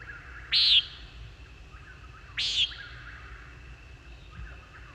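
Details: Two harsh, nasal, buzzy high-pitched 'peent' notes from a Common Nighthawk, about two seconds apart, over faint hiss. The recording was played for the mechanical wing-rush sound of the male's power dive.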